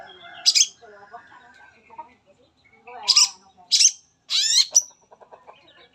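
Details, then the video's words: Long-tailed shrike singing full material to draw other shrikes into song: soft low warbling, then three loud harsh rasping bursts ending in a short high whistle. "SANGAT AMPUH BUAT PANCINGAN CENDET APAPUN CEPAT BUNYI"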